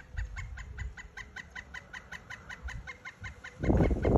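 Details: A pileated woodpecker in the Florida Everglades on Christmas Eve gives a long, rapid series of loud, even wuk-wuk notes, steady in pitch, over low rumbling wind, with a loud thump at the end.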